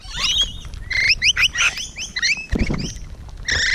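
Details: Rainbow Lorikeets nearby on a morning in June 2017: quick squeaky, upslurred chirps and shrill screeches in short bursts, plus a low thud partway through.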